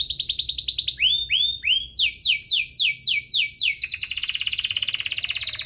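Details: Rolling canary song meant to stimulate lazy singers: a fast trill, three swooping upslurred notes, a series of six downslurred whistles, then a dense rattling trill.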